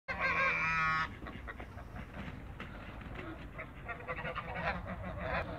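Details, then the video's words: A pair of Toulouse geese among waterbirds in a backyard give a loud harmonic honk lasting about a second, followed by softer, irregular honks and clucks over steady background noise. "COUPLE TOULOUSE GEESE AFTER THECREATE WATERBIRDSIN THE BACKYARD"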